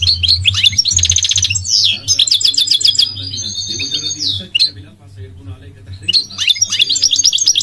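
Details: Goldfinch pouring out dense buzzy trills and ringing twitters, then a level whistled phrase, a short pause, and renewed high trilling over a low hum.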